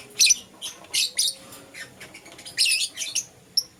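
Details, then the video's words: Morning chirping from green opaline and lutino lovebirds: a few loud, sharp, high chirps, some doubled, spaced unevenly over a few seconds with softer notes between. "Lovebird Chirping Sounds"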